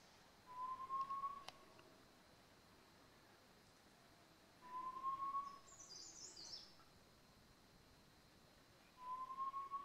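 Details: Great barbet feeding on rhododendron flowers in March at Landour, Indian Himalaya; a level, faintly rising whistled note about a second long, repeated three times roughly every four seconds, with a brief high twittering from another bird between.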